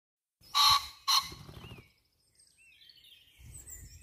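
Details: A pheasant at the Lost Gardens of Heligan on 29 April 2023 gives two loud, harsh, grating notes in quick succession, then falls silent while thin whistles of small songbirds continue in the background.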